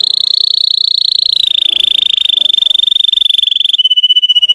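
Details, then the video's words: Russian canary song used as a lure to provoke untrained canaries: one long, fast, even trill that slides slightly lower in pitch midway and ends on a steadier rapid trill. "PANCINGAN SUARA BURUNG KENARI RUSIA UNTUK MANCING EMOSI BURUNG BAHAN"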